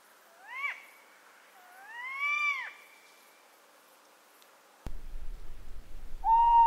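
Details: Tawny owl calling: two drawn-out screechy notes that rise then drop sharply, the second longer and fuller, followed after a pause by an abrupt burst of low rumbling noise and a short steady tone.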